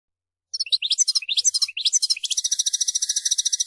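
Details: Song of a European goldfinch (mqnin) in a powerful singing bout: varied liquid twittering notes rising and falling, then a long fast buzzy trill held steadily to the end.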